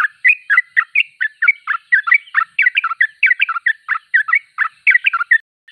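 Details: Sooty-headed bulbul in full song, a steady run of short, bubbly, liquid notes about four per second, rising and falling in pitch, in a clean recording without other sounds.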